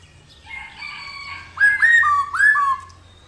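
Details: Female black-throated laughingthrush making the 'rò' call that excites males: faint, murmured notes at first, then four loud upslurred whistles in quick succession, each bending downward at its end.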